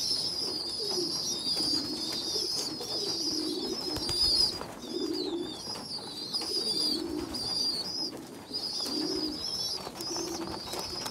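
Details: Pigeon youngsters being fed by a weaker, smaller young pigeon; long runs of shrill, wavering whistled squeaks broken by short pauses, with bursts of low hoarse cooing every few seconds.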